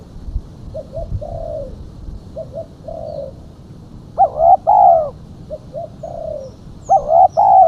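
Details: Female spotted dove used as a lure: gentle phrases of two quick hoots and a longer falling coo, each answered by a louder, richer double coo, repeated across the recording.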